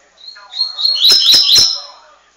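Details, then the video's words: Coleiro in the tuitui song style, a double-collared seedeater billed as the best of São Paulo, gives a quick run of high chirping notes that ends in three sharp, explosive clicks, with a faint human voice beneath. "Coleiro tuitui show de bola"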